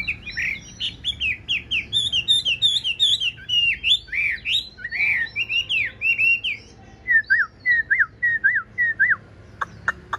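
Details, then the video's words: Big, blue-eyed caged Chinese hwamei, tame enough to sing while its cage is carried, pours out a long, rich, varied song: rapid rising and falling whistles, then a steady run of repeated downslurred notes ending in sharp ticks. "Bộ to mặt đẹp, mắt xanh, chim thuần sách lồng vẫn hót | Họat Họa Mi"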